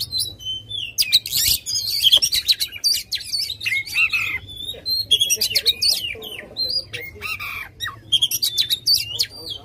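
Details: White-rumped shama, aggressive and tail-spreading, singing as a lure for an unwilling bird: continuous energetic stream of harsh chips, buzzy rattles and brief whistles in quick pulses, low hum in background.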